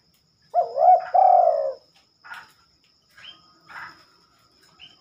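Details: Spotted dove at night, singing one rich cooing phrase, a bent note then a long soft descending coo, followed by silence broken by a few faint short chirps.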